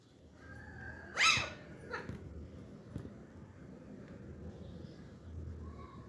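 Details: Green parakeets indoors in a talkative mood, giving one loud, bright, harmonic squawk near the start, followed by a fainter short note, over a steady low room hum.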